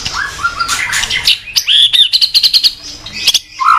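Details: Caged white-rumped shama singing in the morning as a lure for training cage birds: mellow low whistles, then a high clear note and a rapid chattering series of about eight short sharp notes.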